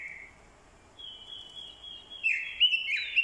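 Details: Orange-headed thrush, a decoy bird, giving fighting song alongside a female's call meant to stir a male. A thin, steady high whistle is held for over a second, then rich warbled phrases become louder near the end.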